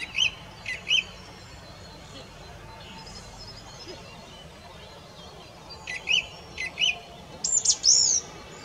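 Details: Singing song thrush repeating a short high whistled phrase twice, falling silent for several seconds, repeating another phrase twice, then ending with a louder looping whistle; faint hiss underneath.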